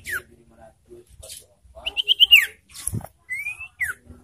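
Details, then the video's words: Ashy tailorbird lure call, used to provoke and stimulate birds in breeding condition: a few sharp whistled notes, mostly downslurred, with a quick stuttered run around the middle and scattered low knocks between them. "Memancing emosi dan Merangsang birahi burung sirtu"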